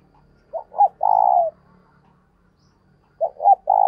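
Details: Decoy spotted dove cooing eagerly to stimulate other doves: low phrases made of two short staccato notes leading into a sustained coo, heard once fully and then starting again, over a faint low hum.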